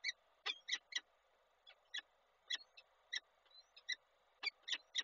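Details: Koszalin peregrine falcons, 27 April 2022, breakfast delivery from male to female: irregular harsh chip calls in short bunches, with faint thin whistled squeaks between them.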